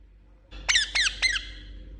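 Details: Indian ringneck parakeet kept as a pet, producing three loud, harsh chirps in quick succession, each a short downward-sweeping squeak, over low room hum.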